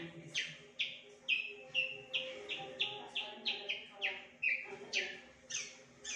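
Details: Horsfield's (Javan) bush lark singing a loud, varied string of sharp, down-slurred notes, about two each second, over a faint low hum; its song mimics other birds such as prinias, canaries and bulbuls.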